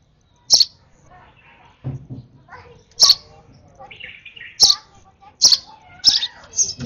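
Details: Over-excited sparrow nestling during a hand-feeding, giving about five sharp, high chirps spaced irregularly, with soft low murmuring and handling noise in between.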